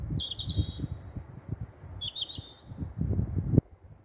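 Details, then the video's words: Night-singing European robin under street lights in Staple Hill, Bristol, 13 April 2020, giving three short high, trilled, tinkling phrases in quick succession against a steady low urban rumble. "Robins singing at night"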